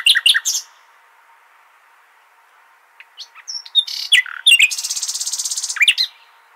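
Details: Nightingale in al-Hasaniya style song, used to tutor goldfinch and hybrid chicks. Brief sharp chips come first, then a pause and varied squeaky notes. These run into a rapid buzzing trill lasting over a second.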